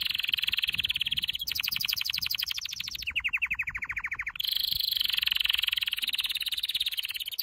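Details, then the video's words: A canary's training song, loud and unbroken: fast trills switch between higher and lower rolls every second or two, each made of very rapid, evenly repeated notes. "Your canary will NEVER STOP SINGING With this training song"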